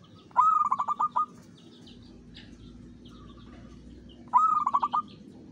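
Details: Local zebra dove singing a lure song in the Mataram rhythm: two phrases of quick staccato coos, each opening with a longer note then tumbling into about seven clipped beats, with soft background noise.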